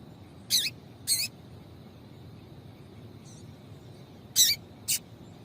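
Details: Female double-collared seedeater calling to stimulate a male: two pairs of sharp, high, slightly rasping chips about half a second apart, separated by a quiet gap, over gentle background hiss.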